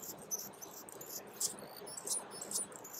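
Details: Male Calliope hummingbird singing: very high, thin, brief sputtering buzzes and ticks, spaced roughly half a second to a second apart over soft background hiss.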